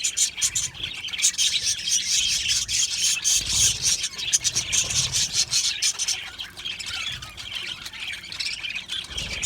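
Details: Many Australian budgies in an aviary colony keep up a steady, harsh, high warbling chatter with sharp squeaky chirps scattered throughout.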